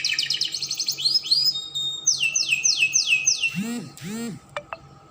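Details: Spanish Timbrado canary singing as a model for young canaries: rapid high notes, upswept slurs, then a series of falling whistles repeated roughly four per second, ending with low nasal calls and clicks.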